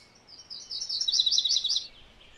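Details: One MacGillivray's warbler phrase of about a second and a half: a chain of buzzy, chattering high notes that shifts lower toward the end, with a soft hiss behind it.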